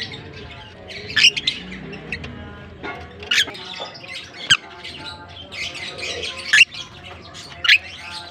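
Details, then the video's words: A colony of African lovebirds from Larkana gives shrill, harsh squawks in irregular bursts about once a second over a steady background of softer chattering and a low tonal hum. "African lovebirds colony"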